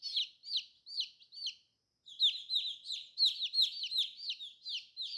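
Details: Newly hatched colourful chicks cheeping: a run of four high, falling peeps, a brief silence, then a denser burst of overlapping peeps from more than one chick.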